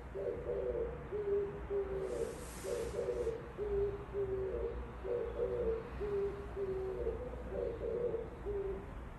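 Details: Outside a window, an Oriental turtle dove gives its song of deep, muffled coos in repeated phrases of paired and tripled notes at an even pace. A brief hiss of noise enters early on, and a low background drone continues throughout.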